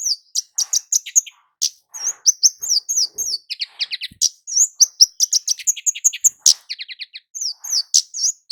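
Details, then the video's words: Lure recording of a lively Javan kemade (flowerpecker), meant to draw males and females and make them sing: dense high-pitched tsip notes and slurred chirps tumbling on without pause, with brief rattling runs. "Burung kemade jawa gacor PIKAT ampuh buat pancingan cit keres jantan betina agar cepat bunyi ngalas"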